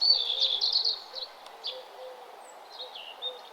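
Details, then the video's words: Birdsong at sunrise along a nature trail; a loud rapid warbling burst opens, followed by softer scattered high notes and short slurred calls over steady background hiss. "Nature trail with birds singing and the sun arising"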